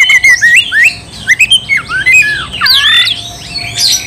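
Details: Oriental magpie-robin, a strong singer used to provoke another bird to fight; squawky, slurred whistles rising and falling in short bursts, then a rough, harsher phrase near the end.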